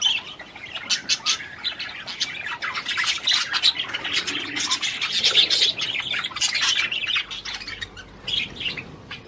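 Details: A budgerigar sings to stimulate the female to mate, a fast, busy stream of clicks, squeaks and harsh chatter that fades slightly toward the end.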